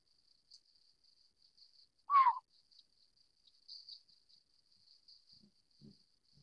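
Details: Single short descending mewing note from a Collared scops owl (Taiwan endemic subspecies Otus lettia glabripes), then quiet except for a steady high insect trill and a few faint low knocks.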